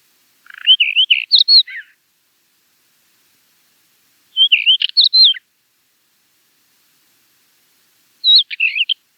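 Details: Finsch's wheatear singing three short phrases several seconds apart, each mixing warbled whistles with harsh scratchy notes; nothing else audible between them.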